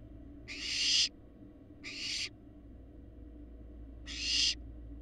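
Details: Barn owl fledglings in Florida, now large and parent-like, filmed by a live nest cam: three rasping, noisy hisses of about half a second, two close together and a third after a longer pause, with constant low background hum.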